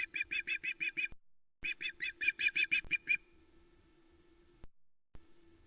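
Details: Loch Arkaig osprey nest, 1 September 2020: the female squeals as a live flatfish is brought by the male, two rapid bursts of high, sharp piping notes, about three per second, then quiet with faint knocks.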